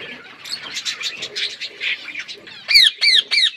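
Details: While feeding, parrots keep up a murmuring, high-pitched chatter of overlapping chirps, ending in four strong, ringing squawks that drop in pitch, spaced about a third of a second apart.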